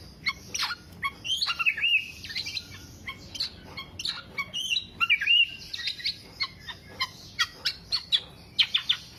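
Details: Black-naped oriole singing long and busily, offered for songbird keepers as a lure or master recording: a dense stream of high chirps, thin whistles and short slurred phrases, thinning into spaced sharp notes toward the end.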